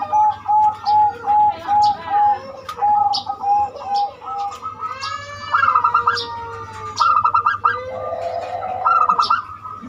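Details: Zebra dove song used as a lure to get other birds singing, described as a unique voice: clear, steady low coos repeated in short even bursts, then higher trilled rolling coos with a second dove cooing alongside.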